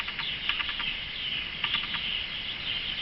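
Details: A male Atlantic canary (Serinus canaria), one of a kept pair that has not yet raised chicks, sings a high, rolling trill with quick bursts of sharp chipping notes, three or four at a time, without a break.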